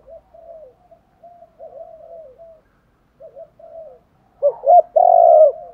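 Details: Spotted dove cooing, from a compilation of urging, calling and fighting coos used to stimulate decoy doves; soft wavering low coos for several seconds, then a louder burst of three full, rounded coo notes at the end.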